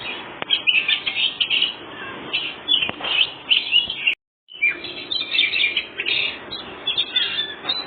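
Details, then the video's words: White-rumped shama, a very vocal bird singing in the ngobra style used to provoke other birds into answering; dense, continuous high whistled and chattering phrases with rapid varied notes, briefly broken by a short silent gap midway. "Kacer full ngobra satu detik burung bahan langsung nyaut"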